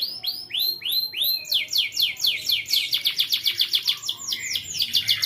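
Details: Young canary song used as a lure to teach other canaries to sing: sweeping upslurred notes repeated about twice a second, shifting into fast buzzy high trills of rapid repeated syllables.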